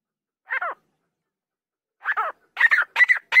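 Grey francolin female gives harsh, rasping notes: one alone, then a quickening run of four after a pause. No other sounds.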